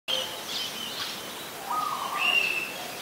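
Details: Oriental magpie-robin, a very common resident, singing in Ubon Ratchathani, Thailand, on 27 December 2020: a few clear whistled phrases, one lower held note near the middle and a higher one later, over steady background noise.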